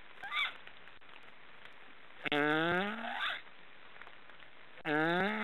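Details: Several black storks snoring: a brief faint squeal, then two long, rough, harmonic nasal calls that sag slightly in pitch, about two and a half seconds apart, against steady background hiss.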